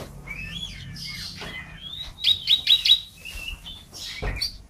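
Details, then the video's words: Canary song from a compilation of national champion singers in Indonesia: varied whistled phrases around mid-high pitch, a quick burst of four sharp repeated notes, then a low buzzy slur and a final bright chirp. "KUMPULAN SUARA KENARI GACOR BERBAGAI VARIASI DAN GAYA !"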